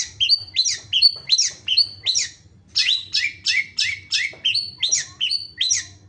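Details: Long-tailed shrike, called pentet, in lively continuous song: rapid chattering phrases of high scratchy notes mixed with short whistled slurs, about two to three per second with a brief pause midway, over a low steady hum.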